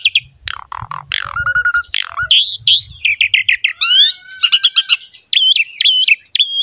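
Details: Javan pied myna (jalak suren) song used to spur other mynas into singing: busy run of squawks, rising whistles and fast chattering, ending with repeated looping whistled notes; faint low hum early on.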